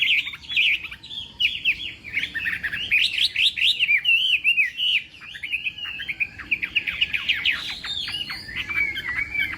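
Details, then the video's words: Morning contest singing by a Chinese hwamei, a continuous torrent of rich whistles and trills tumbling up and down, interspersed with sharp clicky notes, nearly without pause for ten seconds. "Hoạ Mi Hót Đấu /hoạ mi hót sáng luyện giọng"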